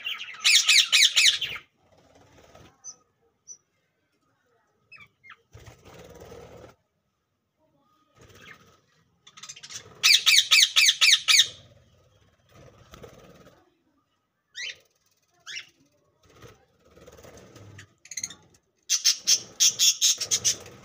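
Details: Pet budgerigar giving loud bursts of rapid, scratchy chirps, with softer chatter between the bursts.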